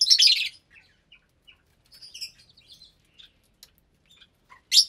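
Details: Lovebirds at meal time in an aviary, January 2023: about 25 parblue, euwing, opaline, lutino and albino birds, some raising chicks. A loud burst of shrill, harsh chattering opens and closes the clip, with scattered softer high chirps between.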